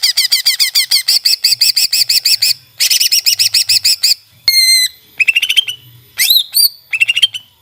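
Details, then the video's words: Greater green leafbird in a tutor recording: fast bursts of high, sharp, repeated chirps, followed by several clear whistled notes and then rising, ringing phrases, with brief pauses between the bursts. "Burung Masteran Cucak ijo Langsung On"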